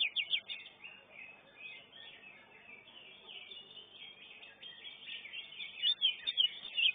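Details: Greater green leafbird (Chloropsis sonnerati) at a songbird contest, placing third in its class, pours out a fast unbroken run of high chattering and whistled phrases with louder bright bursts toward the end; other birds chatter faintly behind.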